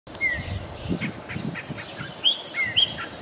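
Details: Chopi blackbird singing in Santa Cruz de la Sierra, Bolivia, recorded with a Canon SL2; the song is varied and melodious. A few clear whistled notes, some slurring downward, others short and rising, separated by pauses over low rumbling background noise.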